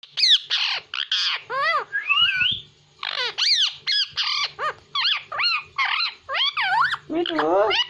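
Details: Pet parrot said to speak Hindi, giving a rapid run of loud, harmonic, sharply bending syllables, some rising and falling like speech, packed closely with short gaps and a low hum underneath.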